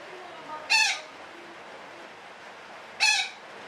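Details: Harsh parakeet squawks, from a call described as long chattering (ngekek panjang): one coarse, buzzy shriek, a pause of over two seconds, then a second identical shriek, against low background noise.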